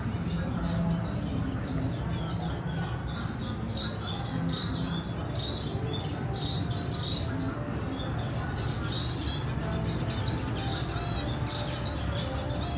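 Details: Female red siskin with her chick during feeding, 14 April 2021: rapid high chirps and twittering notes repeat almost without pause, over a constant low mechanical hum.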